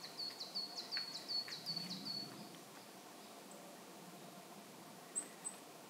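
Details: At a feeding station in Saitama Prefectural Forest, Japan, in March, where flocks of wintering Pallas's rosefinches visit, one gives a quick run of about eight thin, high chipping notes, then two faint higher squeaks; light hiss.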